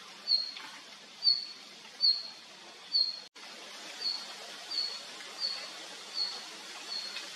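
A male red-flanked bluetail gives about nine short, thin, high whistled notes, each under a second apart. The notes grow softer later, over a quiet background hiss.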